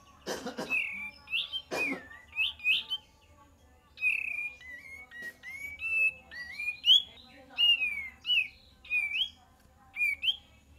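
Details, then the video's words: Cream-vented bulbul song used as a lure: a varied, chattering stream of whistled slurs rising and falling, with two sharp clicks early and a brief pause before the song resumes. "PANCINGAN KAPAS TEMBAK DIJAMIN NYAUT"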